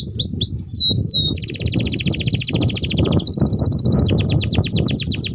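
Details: Long tutor song of a canary for training young canaries: curved whistled notes, then an extended rapid trill that drops in pitch midway and breaks into quick separate slurs.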